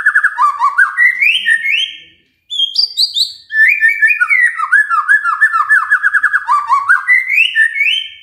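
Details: Magpie-robin song used to prompt a quiet bird to sing: a nearly continuous stream of loud, varied whistles and warbles, with rapid stuttering notes and high sweeping phrases, broken by one brief pause.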